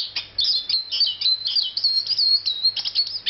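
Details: Eurasian siskin, a forest bird known in Mallorca as lleonet, singing a continuous, rapid twittering of high, thin, slurred notes. Short buzzy trills and chirps run together almost without pause.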